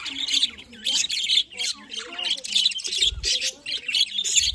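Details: Budgerigars, 18 October 2023, chattering steadily with squawky, buzzy warbles and chirps, some softer lower murmured notes and a low thump partway through.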